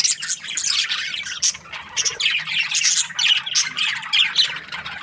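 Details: Budgerigars housed as breeding pairs in an aviary squawk and chirp in quick bursts, the chattering swelling and dipping roughly every second.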